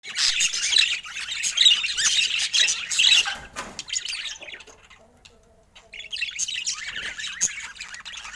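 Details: Pet budgerigars, a group kept as companion birds, chattering in soft, joyful sounds: dense high chirps, squawks and warbles from several birds at once, fading to near silence midway, then resuming more quietly.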